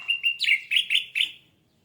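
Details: Short orange-headed thrush phrase for a singing lure: a brief series of about six quick, bright chirped notes at an even pitch, then a fading tail.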